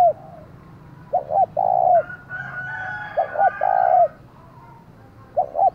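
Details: Decoy spotted dove calling to provoke wild rivals: repeated phrases of two short stuttered notes and a long mellow coo, about every two seconds, while a rooster crows in the background.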